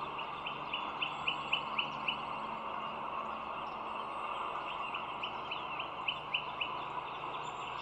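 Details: Bald eagle calling from a nest watched by an overhead camera at the Dulles Greenway, early morning of 25 March 2022: two bursts of quick, high, upslurred piping notes, several per second, above constant road noise.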